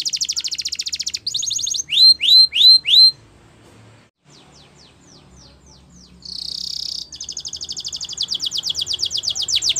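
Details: Canary champion song used for training, a varied sequence: fast high buzzy trills, a row of four loud upswept whistled notes, a quiet pause with faint sweeps, a hissing burst, then a long rapid rattling trill building in volume.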